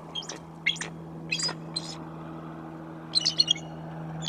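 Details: Mated pair of Bald Eagles, in perhaps their second year as a couple, on a well-worn white pine branch on November 13, 2024; scattered high, thin squeaky chirps in short bursts, with a steady low hum beneath.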